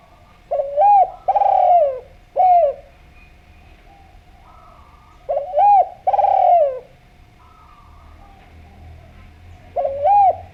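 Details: Spotted dove from Java, singing actively and sweetly for use as a lure: three bursts of mellow cooing, each a curved short note, a longer rolling falling coo and a brief tail note, separated by pauses of about three seconds.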